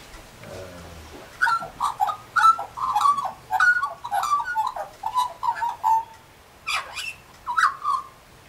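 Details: Australian magpie singing near pink galahs: after a low rumble, a run of fluid, mellow warbled notes in quick bursts, several per second, with a sharp falling-rising note near the end.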